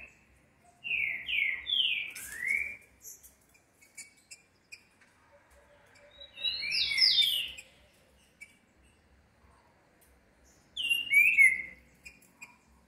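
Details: A Green-winged saltator (Saltator similis) sings three loud, rich phrases of slurred whistles, each a quick run of falling notes, spaced about four to five seconds apart.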